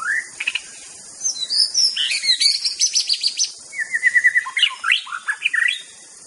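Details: White-rumped shama master song to provoke rivals. A rising whistle opens it, followed by a fast, high, rattling medley and a rapid repeated note series. The song ends in looping, swinging whistles over a faint insect hiss.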